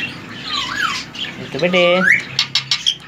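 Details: Male ring-necked parakeet, three years old and semi-tame, whistles a dipping glide and then a long rising sweep, overlapping a person's spoken words, followed by short clicking notes.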